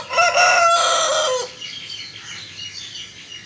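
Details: Cock crowing loudly, a strong harmonic crow with a short break, lasting about one and a half seconds, then trailing into soft, high background chirps.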